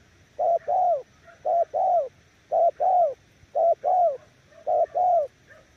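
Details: Five evenly spaced coo pairs from a spotted dove in the 'nước gù' manner, each a quick short note leading into a longer warm coo, regular about once a second against a quiet background.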